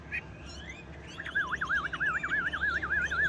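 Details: Caged, well-tamed Chinese hwamei keeps singing despite its cage being shaken, delivering a rolling, wavering whistle that loops up and down in rapid even undulations after a few scattered higher notes.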